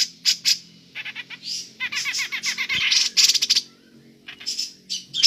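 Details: Grey-cheeked bulbul in ngepik calling, suited for luring other birds: dense, uneven bursts of harsh, high chattering notes mixed with quick buzzy phrases, broken by a short pause near the end.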